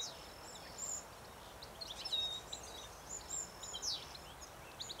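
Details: Silvereye from a small group feeding in a weedy, overgrown field near farmland at Richmond Lowlands, NSW, in early September 2017; brief high twittering notes, some in quick clusters, over steady rural background noise.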